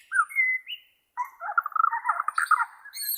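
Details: Bornean white-rumped shama recorded for training caged shamas: two clear whistled notes, a short pause, then a rapid rattling, warbling run of mixed notes.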